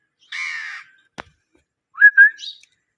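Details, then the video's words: Pet Indian ringneck parakeet giving natural calls: a harsh, raspy screech, a sharp click, then two short whistled upslurred notes ending in a higher squeak. "Beautiful parrot Natural sounds Indian ringneck parrot parakeet mithu"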